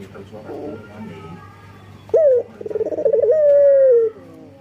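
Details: Calling male collared dove, local type, in breeding condition and seeking females: one coo begins with a sharp short note, shifts into a stuttering trill, then holds a long, steady, slowly falling tone. Soft low sounds precede it.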